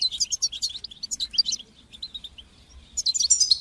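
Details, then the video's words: Training song of a European goldfinch in batbata and sastasa style for teaching fledglings: quick tinkling twitter, then a run of thinner repeated notes, and a fresh burst of chattering twitters at the end. "تقنيات تحفيز طيور الحسون لتشجيع نجاحها في التغريد بتبتة وستستة"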